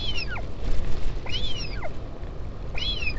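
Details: Northern royal albatross at its colony on Taiaroa Head near Dunedin, New Zealand, during a parent's visit to the chick on 16 July 2019, filmed by a live camera: three high, thin, arched whistles sliding downward, with a low rumbling wind background.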